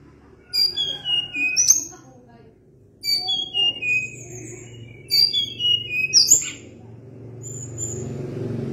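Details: Sunda blue robin singing; three bursts of clear, high whistled notes that slide downward in steps, each phrase about a second long with short sharp chips between, separated by quiet pauses.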